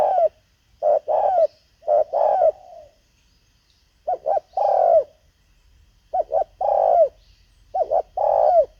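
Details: Spotted dove used as a decoy to lure wild birds, giving low mellow coos in short phrases of two to three notes, with brief pauses between bursts and a quiet background.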